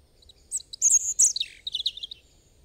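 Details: A single European robin song phrase: thin, piercing whistles that slide into a rapid sparkling warble, high-pitched and fluid, over a quiet background.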